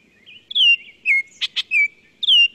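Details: Baltimore Oriole song, a spring migrant passing through southern Quebec: rich, clear whistled phrases that slur downward, broken midway by two short harsh chatter notes, lots of different sounds. No other sounds stand out.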